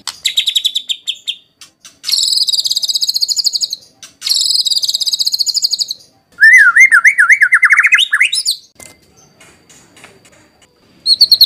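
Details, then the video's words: White-rumped shama song used to draw out singing and as tutor material: several bursts of fast, buzzy high trills separated by short pauses, plus a zigzagging lower warbled phrase. "Pancingan NGERI Murai Batu Langsung Nyaut Cocok Buat Masteran"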